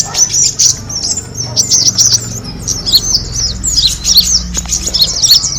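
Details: Kemade bird lure sound: a lively mix of thin, high chirps and short descending tweets from multiple birds, repeated rapidly throughout, with low background rumble.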